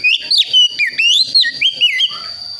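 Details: Young wild-born White-rumped shama from West Java, learning its song; a short series of clear whistled notes sliding up and down, each slurred phrase brief and bright, over a steady faint high tone.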